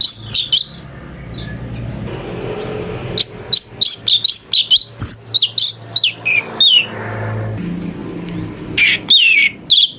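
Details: Cucak cungko, or brown-breasted bulbul, performing song variations meant as a master for magpie-robins: scattered chirps, then a long, fast chain of sharp, twittering notes with short pauses and a few drawn-out slurred calls.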